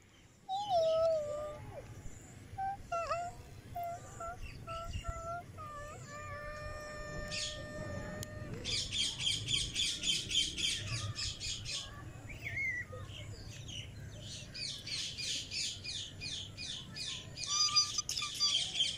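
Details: Playful pet cockatiel that talks, chattering with clear whistled notes mixed with bursts of rapid, scratchy chirps.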